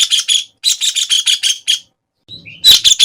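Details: White-throated kingfisher (Halcyon smyrnensis) calling in short, harsh, rattling bursts separated by brief silences, with one faint, thin rising chirp from another bird just before a final loud burst.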